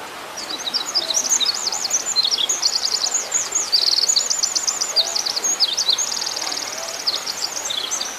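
A wren pours out a long, complex song of rapid high trills and tumbling twittered phrases with hardly a pause, over a faint background hiss.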